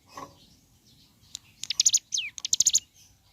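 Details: Morning song of a lively ciblek gunung, or mountain leaf warbler: a short high phrase of rapid sharp chips and buzzy notes with one steep descending whistle in the middle.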